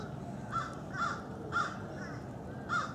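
Lesser scaup giving four short, harsh, raspy notes at uneven half-second to one-second gaps, over a low background rumble.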